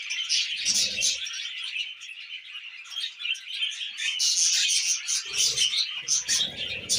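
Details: Tamed budgies at their millet chatter continuously, rapid twittering and scratchy warbled notes running together, with a few soft low thuds in the background.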